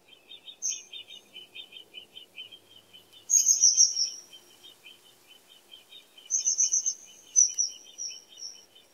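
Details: Common kingfisher giving loud, very high, rapid trilled whistles in two long bursts, each trailing off, over a constant background of lower, quick rhythmic chirping from another small creature.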